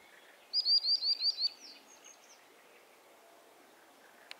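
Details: Common sandpipers calling to each other: a quick run of five thin, high piping notes, then a couple of fainter whistles, over a soft outdoor hiss.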